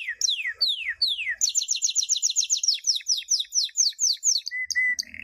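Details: Canary song recorded as a champion training model for teaching young birds: three falling whistled sweeps, then a fast rattling trill of repeated high notes, slower descending notes, and a steady flat whistle at the end.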